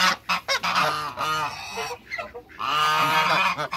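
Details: African geese in a backyard with other waterbirds, two males and a female, honking loudly: short clipped notes at first, then long harsh drawn-out honks.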